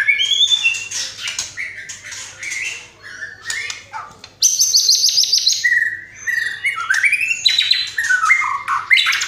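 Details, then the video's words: White-rumped shama singing hard with a rich, varied fill-in repertoire and full 'tembakan' bursts: rapid, busy phrases mixing buzzy trills, sharp high rattles, and clear rising and falling whistles, almost without pause. "MURAI GACOR BONGKAR ISIAN !!! MURAI BATU ISIAN MEWAH FULL TEMBAKAN"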